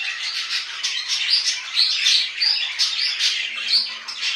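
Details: Budgerigars in home care keep up a rapid warble, short whistled notes and scratchy chirps following one another closely with little pause.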